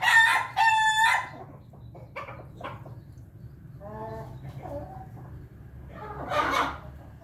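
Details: Pelung chickens at morning feeding: a loud pair of harmonic, strained crowing bursts in the first second, followed by soft scattered clucks and pecking sounds with a low steady background hum.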